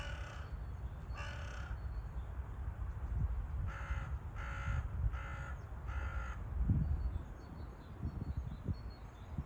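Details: Crow giving six harsh, rasping caws, two spaced apart then four in a quicker run, over a steady low wind rumble, in a park on a sunny 25 February 2024, as crows chased a black woodpecker from a fallen trunk.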